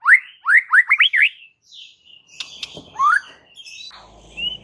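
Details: White-rumped shama song meant to stir rival males: five loud upslurred whistles in quick succession, then softer scratchy notes and a single rising whistle.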